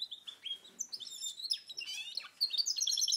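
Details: Goldfinch × canary hybrid, 2010, delivering rapid high chirps and twitters in quick succession, building into a denser, brighter warble toward the end, with faint background noise.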